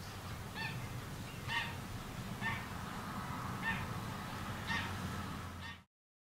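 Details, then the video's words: Common redshank of the nominate subspecies, recorded in May 2016 in the Uitkerkse Polder, Belgium: short, harsh piping calls repeated about once a second over a low rumble of wind. "Chevalier gambette (Tringa t. totanus) Common Redshank"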